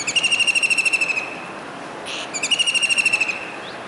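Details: Rainy July 2019 in Surat, Gujarat: a kingfisher on a rooftop dish antenna calls, seemingly seeking another bird. Two rapid rattling trills of sharp high notes, each over a second long, are split by a pause with a brief noise burst.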